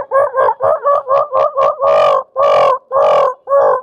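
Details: In winter, a hen calls just before laying an egg: a run of quick, throaty clucks about twice a second, then longer, drawn-out nasal notes.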